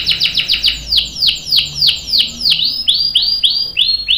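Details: Canary song for training young and adult canaries: a quick series of sweeping whistled notes slowing into evenly spaced descending whistles, about three per second.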